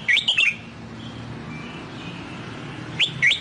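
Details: Sông Kon style song of the Red-whiskered bulbul, meant for teaching a fresh wild-caught bird: a brisk warbled phrase of looping whistles, a pause of over two seconds, then a second similar phrase begins.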